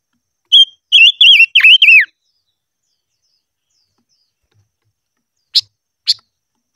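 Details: Silver-eared mesia singing during voice training in the ché style: a quick run of clear whistled notes that rise and fall near one pitch, ending in a downward slur, followed after a pause by three short sharp chips.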